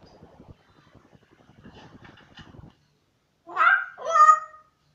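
A grey parrot gives two loud, rich whistled notes, the first bending upward and the second steadier, after a few seconds of soft indoor murmuring.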